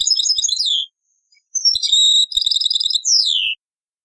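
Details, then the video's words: European goldfinch song in the taqsrain style, taken from an old cassette: three bursts of rapid, tinkling high twitters with short buzzy trills and falling slurred notes, separated by brief pauses. "تغريد تقصراين من كاسيت قديم"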